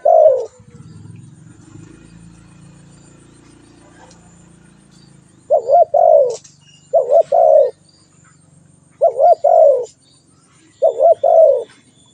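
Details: Spotted dove cooing after a low humming rumble fades: four phrases of two short quick coos and a longer descending coo, repeated every one to two seconds.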